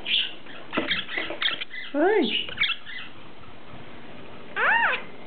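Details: Three pet lineolated parakeets (cobalt, turquoise and cream), the cream male a talker that says "hi", "me monster" and "good boy" and growls, chatter in quick, scratchy, speech-like bursts broken by two clear arched whistles that rise then fall.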